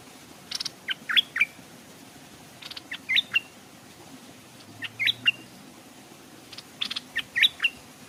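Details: Stripe-throated bulbul decoy bird hung by a stream, wild birds approaching but not daring to come down; quick phrases of three to five sharp, rising and falling chirps, repeated about every two seconds.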